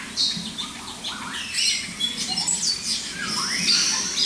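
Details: White-rumped shama singing a varied, continuous stream of high whistles, rapid chirps and sweeping slurred phrases with little pause, some notes scratchy, over a faint low background hum.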